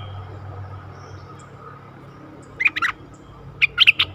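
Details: Bulbul decoy luring a very old wild bird, 11 August 2021: two brief clusters of quick warbled whistles, each lasting under half a second, rising out of a low droning background hum.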